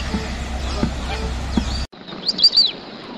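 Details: White-faced whistling duck: after a noisy stretch with low rumble, a short burst of clear, high whistled notes, several quick rising-and-falling slurs close together, standing out over a quieter background.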